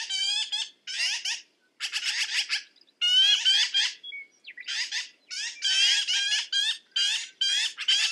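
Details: Rasping black-billed magpie chatter, harsh nasal notes tumbling in quick clusters with brief breaks, steady and loud throughout.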